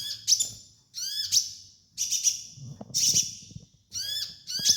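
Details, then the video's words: Training master of sunbird song, high-pitched chittering bursts with quick downward-sweeping notes, each phrase about a second long, repeated about once a second over a soft low background rumble. "MASTERAN KOLIBRI NINJA DAN TERAPI KONIN BAHAN"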